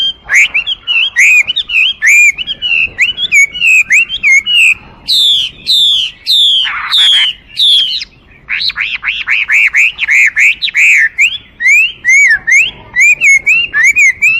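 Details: Extended song of a Chinese hwamei: fast, varied whistled phrases, bright ringing notes, a harsh rasping passage midway, then quick series of repeated arched whistles.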